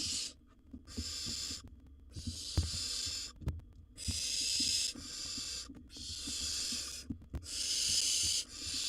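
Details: Wild barn owl nestling in a nest box after a sibling tried to steal its bird: bursts of harsh snoring hiss, some short and some over a second long, with uneven gaps and knocking sounds.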